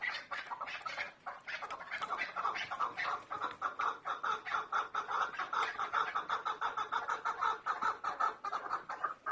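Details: Clucking calls of a female chukar partridge: quick, rhythmic chuk notes, several each second, in a sustained, steady series throughout.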